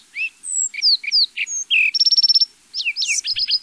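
A sparrow gives a quick run of high chips and short whistled slurs, then a fast buzzy trill of about a dozen notes and more sharp chirps.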